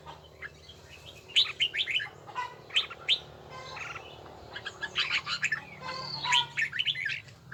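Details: Red-whiskered bulbul in song practice: scattered clusters of sharp, whistled notes over a steady background hiss and low hum.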